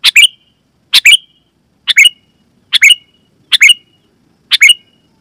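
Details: Sooty-headed bulbul calling loudly and cleanly to attract wild bulbuls and make others respond: six paired bright notes with a short whistle tail, repeated about once per second at an even pace.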